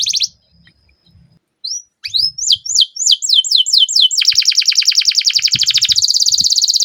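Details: Canary song used to coax other canaries into singing: near silence, then a few rising notes and a quickening series of down-slurred whistles that run into a long, fast, rattling roll.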